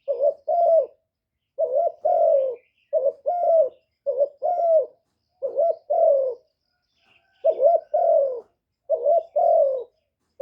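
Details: Spotted dove used as a decoy to excite male doves, clean recording: mellow low coos in two-part phrases, a quick note followed by a longer wavering one, repeated steadily with one short gap midway.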